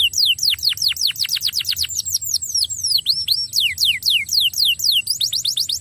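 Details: Singing canary meant to prompt a quiet canary to sing: continuous rapid phrases of sharp falling whistles, a few rising-then-falling notes midway, sustained throughout with faint low hum behind.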